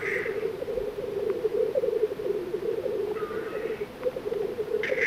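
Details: Black grouse males at a spring lek on an open display ground in the Baikal reserve area, Buryatia, Russia, fighting each other, give a steady low bubbling chorus with sharp hissing sneezes at the start and end.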